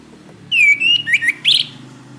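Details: Orange-headed thrush singing on a cage-bird training recording: one long clear whistle drifting slightly downward, two short lower slurred notes, then a brief rising high flourish.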